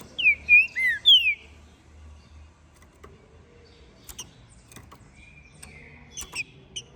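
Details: Captive-bred, ringed green-winged saltator from Minas Gerais, Brazil, singing after its moult: a loud phrase of about four clear, slurred whistles, rising and falling, then quieter with faint chips and low room hum.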